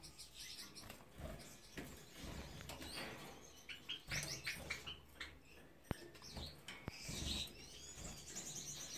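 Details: White Gouldian finches giving short, high chirps and thin squeaky notes in scattered bursts, over a low rumbling background with a couple of sharp clicks.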